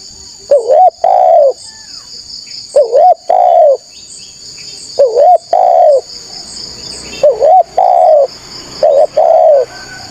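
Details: Spotted dove used to draw in wild doves, cooing loudly in five phrases of a quick wavering note plus a longer falling coo, repeated every two seconds or so, under a persistent high insect-like hum.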